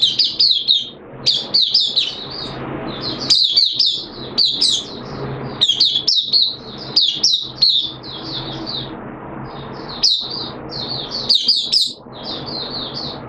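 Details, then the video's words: Captive Oriental white-eye singing a rapid, high, twittering song of jumbled chips and trills in bursts, with a faint low hum behind; second day of a monthly deworming treatment, 13 September 2022. "Mata Puteh T Rex Buka Sing"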